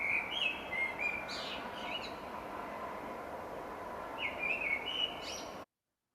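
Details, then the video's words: Recorded Common Blackbird song from Dublin, Ireland, in spring: two short, fluty warbled phrases with squeaky high endings, separated by a long pause of steady hiss, then silence. "hopefully this will play for you now you'll hear the song of the black bird"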